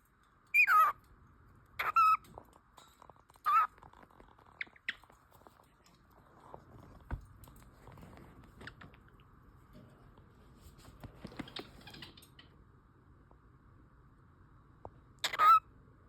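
A cockatiel gives short, shrill, screechy calls in a few quick bursts, then falls quiet before one final call.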